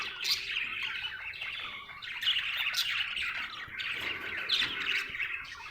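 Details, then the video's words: A contented budgie chirping, scratchy warbling phrases rising and falling with sharp squeaky notes, almost without a break. "Happy budgie chirping sound"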